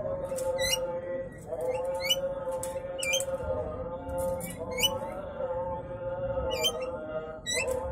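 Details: Courtship calling of an old male Javan myna that is after a young female but is turned down. Loud, high, curling squawks come every second or so against a continuous humming drone.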